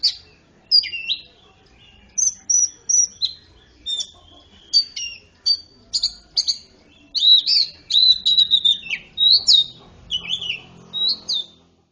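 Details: Greater green leafbird singing with imitated magpie-robin phrases, meant to prompt silent birds to sing: a lively run of short sweet whistles and slurred notes, with the phrases growing denser and more tumbling towards the end.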